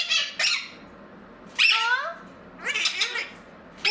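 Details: Pet Blue-crowned conure indoors giving harsh, broadband squawks in three separate bursts over four seconds, with short tonal sweeps between them, while its owner talks to it.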